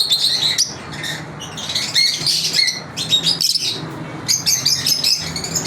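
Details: Lovebirds kept as pets in their daily routine, giving rapid shrill chirps and short squawks in clustered bursts, with a steady low background hum.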